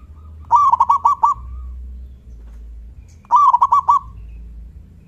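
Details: Local Zebra Dove, a loud lure song with a big 'kung' voice meant to make other doves answer: two bursts of five rapid, clipped cooing notes, steady mid-pitched, about three seconds apart over a quiet low hum.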